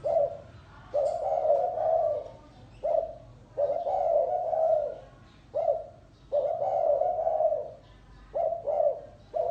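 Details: Spotted dove calling in the gáy gù style, with low, mellow coos alternating between short single notes and longer drawn-out phrases, about eight in all.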